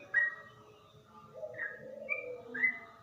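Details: Trucukan, the yellow-vented bulbul, gives a few slow, deep liquid notes in ropel style, spaced unevenly over three seconds, with a faint low warbling tone beneath.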